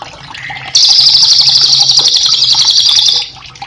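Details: Vigorous cililin song meant for training cage birds: after faint chirps, a long, intense high rolling trill of quick repeated notes runs about two and a half seconds, then drops back to soft water noise.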